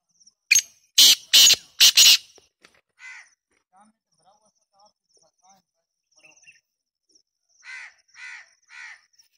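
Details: Black francolin call opening with a loud burst of four harsh, grating, rasping notes in quick sequence, followed by quiet faint chirps and, later, a softer distant set of three hoarse notes.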